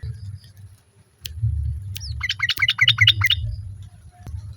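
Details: Female sooty-headed bulbul calling to a male, with other birds answering; a burst of rapid, bubbly chirped notes near the middle, against constant low-pitched background rumble.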